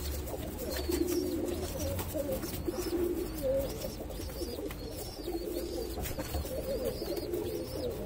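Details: Pigeons by an ash-coloured baby pigeon coo in a low, throbbing, unbroken murmur, with faint high chirps repeated in the background.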